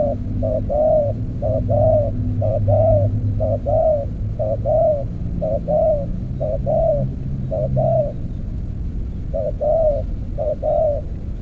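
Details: Spotted dove used in decoy trapping with an earthen trap cage, cooing repeatedly in low, hollow phrases of two quick notes and a drawn-out coo, about once a second, with a low background hum.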